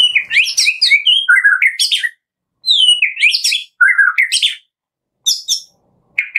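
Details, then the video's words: A Medan-type white-rumped shama sings in the morning: rich, fast phrases of clear whistles, slurred notes and scratchy trills, jumping between low and very high pitches in bursts of one to two seconds. "Pancingan pagi hari MURAI BATU MEDAN GACOR FULL ISIAN"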